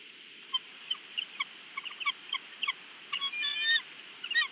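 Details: Male bald eagle at its nest in Big Bear, picked up by a live nest camera: a run of thin, high piping notes in uneven bursts, with a quick chattering trill near the end over a steady hiss.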